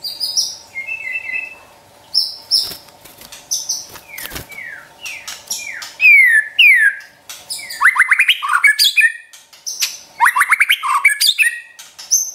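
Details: White-rumped shama training song for pet birds: a sequence of sharp, downslurred whistles and high clipped notes, building into fast, dense rattling phrases, over a faint steady hum.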